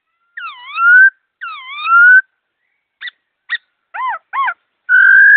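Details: Fast, clear laughingthrush singing with two long dipping-then-rising whistles, short sharp notes, two arched calls and a final long level whistle. No other sound is heard.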